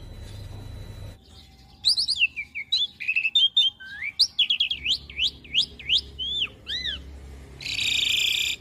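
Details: Asian pied starling master song for young birds to imitate: lively run of looping whistles and sharp upslurred notes, ending in a harsh buzzy burst.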